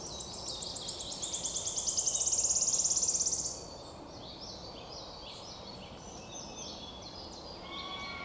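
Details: Wood warbler on 22 May 2023, often singing in flight: a rapid run of high ticks swells into a bright, shivering trill for about three seconds, followed by other birds' softer, varied twittering phrases.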